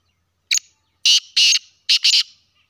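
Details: Sindhi black francolin giving a clear, harsh phrase: one short clipped note, then two pairs of loud buzzy grating notes spread over about two seconds, with no other sound.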